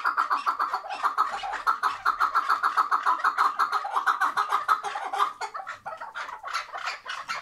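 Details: Tethered chukar partridge from Şırnak, Turkey, giving a long run of rapid, clipped chuk notes, about three to four per second, steady in pitch and loud throughout, with a few harsher notes near the end.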